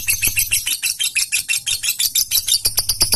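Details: Fighter lovebird's vigorous gacor singing meant to get other lovebirds singing: dense, slightly irregular high squeaky chatter with uneven bursts and overlapping notes.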